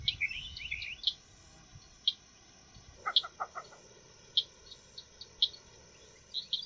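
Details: In Florida's Mallory Swamp, one of several quietly vocalizing Least Bitterns, climbing reeds a few feet away, gives a quick burst of about five harsh, clucking kek notes, surrounded by high, thin chirps from small birds.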